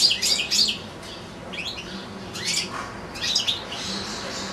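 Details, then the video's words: European goldfinch singing in a cage among two goldfinches and two little goldfinch-canary hybrids; quick high chirps and liquid twittering phrases, loudest at the start, followed by scattered softer trills over a faint room hum. "ΚΕΛΑΗΔΉΜΑΤΑ ΑΠΌ καρδερίνες"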